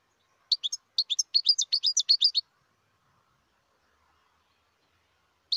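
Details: Wild goldfinch song recorded in 2020: a lively run of roughly fifteen bright, tinkling twittered notes over about two seconds, followed by quiet and one last chirp at the end.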